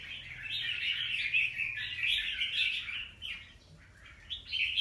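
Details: Red-whiskered bulbul, a wild-caught young bird, recorded 25 December 2023. Rapid bright chirps run together into a dense warble, then thin out into a quieter stretch before a final burst.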